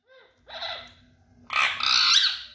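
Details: Parrot, called tota or mithu, vocalising: a short, tonal, voice-like phrase with layered harmonics, a brief pause, then a loud, harsh, raspy screech lasting about a second before cutting off.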